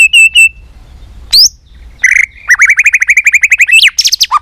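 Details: White-rumped shama singing its competition fighting song: brief whistled notes, a pause, then a fast even series of about twenty chirped notes ending in high slurred whistles.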